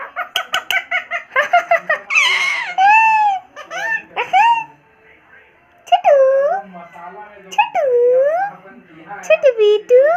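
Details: Funny sounds from a pet Indian ringneck parrot: quick choppy chatter at first, then drawn-out wavering, dipping and rising nasal notes with short silences, indoors.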